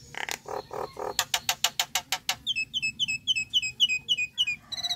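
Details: Nias hill myna call sequence offered as a gentle, non-scaring prompt for a bird to vocalize: low harsh notes, a rapid run of sharp clicks, then a fast series of short high chirps.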